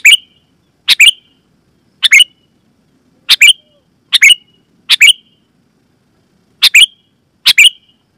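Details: Loud, clear Sooty-headed bulbul calls intended to make other bulbuls answer and sing; sharp bubbly two-note chirped phrases repeated irregularly, roughly one per second with a longer pause, otherwise silent.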